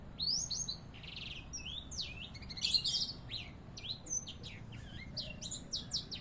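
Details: Canary tutor song from Indonesia: varied high whistled notes, quick rising and falling slurs and buzzy trills following one another in an irregular run, over a low background hum.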